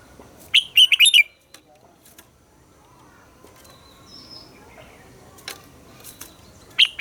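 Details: Red-whiskered bulbul morning song of the wild-caught double-note style, used to train captive birds. A quick warbled phrase of about five notes comes early, then long near-silence with faint chirps, and a final note at the end.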